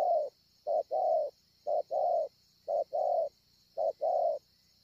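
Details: Spotted dove, a wild bird, cooing at Ngọc Hồi, 25 March 2020. Soft low coos arrive in short-then-long pairs roughly every second, with a continuous thin high whine in the background.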